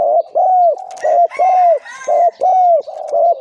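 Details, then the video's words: Spotted dove decoy aged two to three years, known for its big, middle and small voice types; loud, clear low coos repeated about once per second, each note arching gently, with a faint higher bird call behind. "นกต่อ เสียงใหญ่(เจ็กหัวโต)และเสียงกลางกับเสียงเล็ก จ้วดๆ ครับ"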